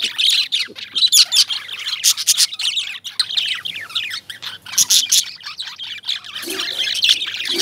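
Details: Flock of lovebirds, described as Indian lovebirds, chattering nonstop with sharp, high chirps and rasping squawks layered over each other, with brief louder bursts every second or so.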